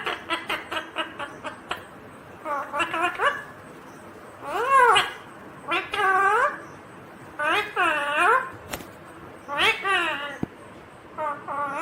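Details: Indian ringneck parakeet, a green parrot, indoors, producing speech-like talking phrases with arched, harmonic contours in bursts about every second or two, preceded by rapid clicky syllables; sharp knocks heard between phrases.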